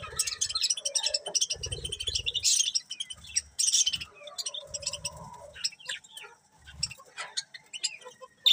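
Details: Budgerigars chirping together: dense bursts of quick high twittering notes, broken by brief pauses, with a few lower warbled phrases and faint soft thumps underneath.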